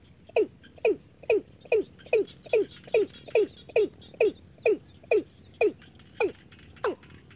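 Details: Watercock used as a day-and-night lure for bird catching, giving a regular run of abrupt, hollow, falling notes, about two each second, with a slightly louder and sharper final note.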